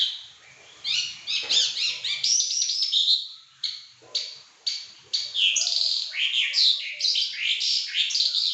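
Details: Pekin robin in vigorous, nonstop song, pouring out rapid rich warbles and quick rising and falling whistled notes almost without pause, the phrases running together into a loud continuous stream.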